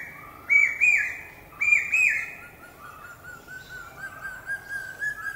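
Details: Common hawk-cuckoo, also called brain fever bird, gives two loud, shrill two-note 'pi-peeah' phrases close together. Softer, lower whistled notes trail off afterwards.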